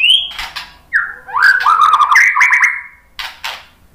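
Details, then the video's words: White-rumped shama song for provoking a reply: a high whistle, then a jerky stuttering sequence of mid-pitched whistled notes, ending in short clicks. "SUARA MURAI BATU Untuk Memancing EMOSI JADI NYAUT GACOR"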